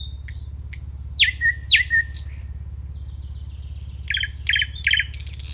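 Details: Nightingale singing: varied phrases of sharp downslurred whistles, high chirps and rapid trilled bursts, delivered in separate strophes over a steady low hum.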